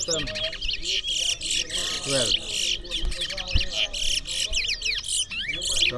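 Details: Twa-twa (large-billed seed finch) competing in a bird singing race in New Amsterdam, Berbice, Guyana: a dense, continuous stream of high twittering and sweeping slurred notes, with crowd voices and low knocks underneath.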